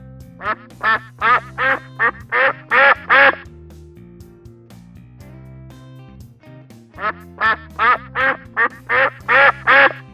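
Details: Duck quacking in two bursts of about eight rapid, nasal quacks each, separated by a few seconds of quiet background music.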